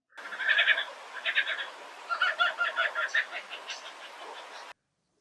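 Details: A male Superb Lyrebird in the forested Dandenongs near Melbourne mimics a kookaburra's laugh while serenading a female out of sight: bursts of harsh, chuckling notes, quick and rhythmic, swelling in waves for about four seconds.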